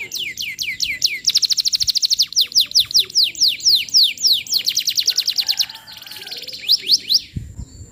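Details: Canary in full vigorous song, a lure for training young birds: long runs of rapid, downward-slurred whistled notes, several shifts in tempo, a softer buzzy passage, and a faint thump near the end.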